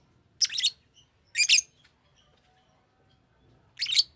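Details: Three harsh, high chirping bursts from a pet Fischer's lovebird, each short and scratchy, separated by pauses of about a second or more, with a faint low hum behind.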